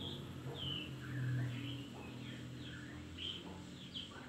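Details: Long-tailed shrike song used as a lure to coax a reluctant bird into singing: a varied run of sharp chirps and short slurred notes, some rising and some falling, over a steady low hum.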